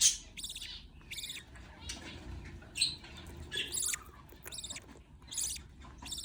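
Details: Budgie nestlings calling as an adult feeds them: scattered scratchy, shrill bursts spaced irregularly, separated by short quiet gaps, with soft rustling and a low hum beneath.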